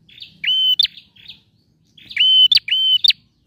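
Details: A male bar-winged prinia sings loud, high whistled notes broken by sharp snapping clicks, in quick bursts about a second and a half apart.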